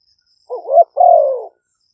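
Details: Spotted dove decoy bird from Roi Et, Thailand, recorded live by smartphone for luring wild doves. A wavering rising coo followed by a longer, smooth, gradually falling coo.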